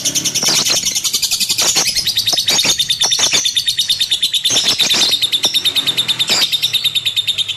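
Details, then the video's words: Lovebird kept as a pet bird, singing a dense, continuous high-pitched chatter of rapid shrill chirps and twittering notes, with a steady buzzy trill running throughout and occasional louder sharp chips. "KiCAU BURUNG LOVEBIRD"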